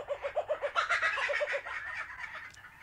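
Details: A Laughing Kookaburra (Dacelo novaeguineae) gives its territorial call, telling others to leave its territory: a fast chuckling run of about eight hoarse notes a second that swells into a raucous cackle, then fades out.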